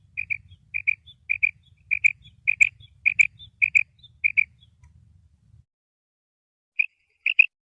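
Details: Female common quail giving its kirk call: short, high paired notes repeated roughly twice a second in a steady series, then a pause and two more pairs, with a faint low rumble beneath.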